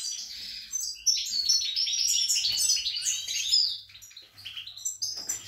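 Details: European goldfinch in an indoor breeding cage, 28 March 2020: a lively, fast warble of liquid twitters and short trills, about four notes a second, that fades to scattered chirps near the end.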